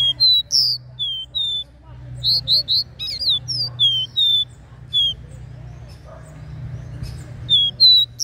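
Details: Capped seedeater singing the regional three-note 'Dó Ré Mi' song: clear, pure whistled notes, some level and some sliding, delivered in quick groups with a pause mid-phrase, over a low steady background hum.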